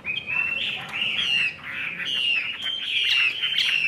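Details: Chinese hwamei kept caged in Vietnam, a 'ngũ trường' singer that fans its tail, sings an unbroken string of warbled whistles over a steady background hiss.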